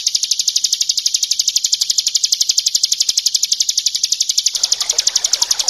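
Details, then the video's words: Bar-winged prinia in ngebren style, a tutor song for other birds, over gently trickling water: an unbroken, rapid, metronomic string of high, thin, buzzy chips. "Masteran ciblek ngebren + gemercik air"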